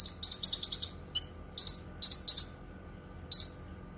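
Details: Cucak kinoi singing, kept for tutoring other birds and for therapy: a fast opening run of about eight clipped high chirps, then scattered paired and triple chirps separated by short pauses, over a low background hum.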